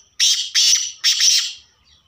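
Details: Black francolin, known as kala tetar, calling with three loud harsh rasping notes in quick succession, the last one drawn out longer, on a quiet background.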